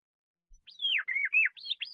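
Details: Canary song phrase: a short run of clear, sweet whistled notes sliding downward, followed by a few quick rising and falling slurs, in a clean recording with no other sounds.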